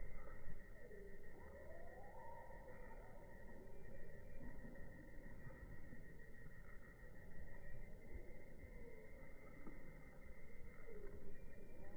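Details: Steady electronic-sounding tones and a slow rising siren-like sweep ride over a dense low rumble, with no animal voices.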